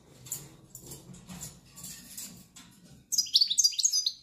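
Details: A European goldfinch, linked to silvestrismo, gives a short, loud burst of bright, twittering, down-slurred notes near the end. Before it comes about three seconds of faint rustling and low background noise.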